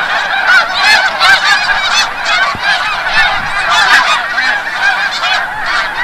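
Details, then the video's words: A large flock of snow geese returning from the bay at sunset, Forsythe National Wildlife Refuge, Oceanville, New Jersey, clamors continuously: a dense wall of overlapping nasal, high-pitched honks and yelps with no pause. "Snow Geese"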